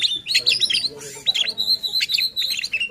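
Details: White-rumped shama singing to goad other shamas into song: a fast stream of high chirped and whistled notes with short rattling trills, nearly unbroken for three seconds.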